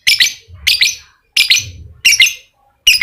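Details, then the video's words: Lovebird giving ngekek song, used as a lure to get a quiet lovebird singing: five loud, rapid chattering bursts, each shrill and rattling, repeated roughly every two-thirds of a second with short silent gaps between. "Pancingan Lovebird malas bunyi, agar aktif Ngekek"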